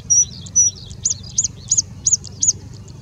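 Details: Singing Bushlark in India, singing with mimicry of birds such as Indian Robin, Pied Bushchat, Plain Prinia and Common Woodshrike. Two very high thin whistles, then five arched, clear notes repeated about every third of a second, over a faint low rumble.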